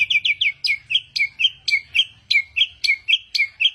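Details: A much-praised mimic bird delivers a loud, regular series of sharp, falling-then-rising whistled notes, about four each second, crisp and snappy.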